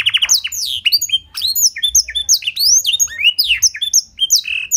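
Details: Canary singing blackthroat-type fill, clear-voiced, used as a prompting master: a brief trill then continuous high sliding whistles and chirps, varied and rapid throughout.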